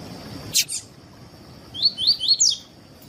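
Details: Double-collared seedeater singing tui tui, played to train and warm up other seedeaters: a sharp click, then four quick rising whistled notes, the last one buzzier, over faint background hum.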